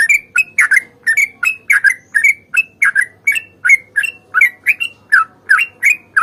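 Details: Long, rapid fighting song of a sooty-headed bulbul, used to get stalled birds singing. Bubbly, warbled notes pour out steadily at about three per second, with no pauses.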